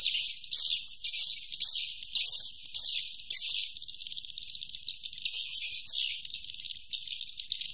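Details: Swiftlet roosting call presented as a top-quality special edition: a dense, continuous chatter of high, buzzy chirps pulsing in uneven bursts about twice a second, with no other clear sounds.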